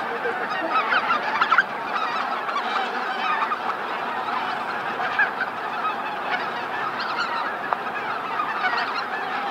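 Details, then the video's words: Flocks of greater white-fronted geese flying in to roost at Miyajima-numa, Hokkaido, Japan, 2016; a continuous, distant-sounding din of overlapping honks, with an occasional closer call rising above the mass. "宮島沼のマガン ねぐら入り"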